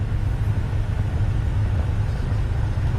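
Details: A vehicle's low, continuous motor drone dominates throughout, and no animal calls can be picked out.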